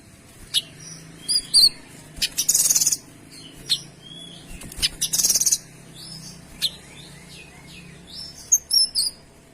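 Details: Lively kinoy song, dense and clear, kept as a teaching recording for other birds: irregular high chirps and slurred whistles mixed with loud harsh bursts around two-and-a-half and five seconds, then more chirping near the end.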